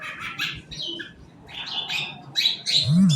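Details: Morning song of a long-tailed shrike, played as a lure to get other birds singing: rasping, scratchy phrases alternating with brief pauses, ending with a low rising hum-like sound and a bump.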